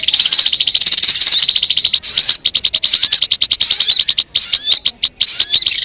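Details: High, rapid trills and thin whistles of a crimson sunbird (sogon) in a lure recording, alternating with quick series of sharp tick notes and a few sweeping upslurred calls.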